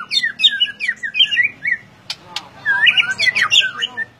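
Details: Singing hard in the ngeplong style, a white-rumped shama pours out rapid warbled whistles, pauses for two sharp clicks, then resumes with bright, tumbling phrases.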